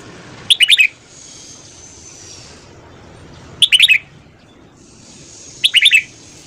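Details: Red-whiskered bulbul singing in the morning for voice training: three crisp phrases of rapid, chirpy whistled notes, each under half a second, spaced about two and a half seconds apart.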